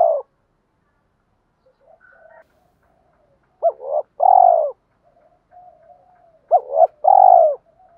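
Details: Lure calling of spotted doves, female and male, to excite males: repeated two-part phrases, a sharp upswept note then a full buzzy coo, with soft low murmured coos between.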